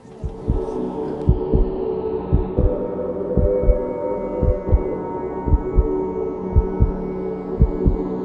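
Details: Low, heartbeat-like thumps repeat about once a second over a sustained tonal hum, resembling ambient music, with no animal calls present.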